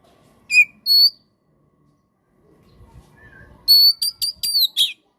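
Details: White-rumped shama (kacer) giving isolated high whistled notes, then a fast run of sharp whistles ending in a rasping chip; a faint lower whistle and soft background rumble between phrases.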